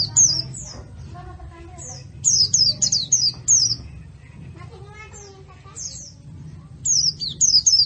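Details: White-eye training recording for caged birds: sharp, very high chirps sweeping downward in fast bursts, over a steady low hum and muffled lower twittering.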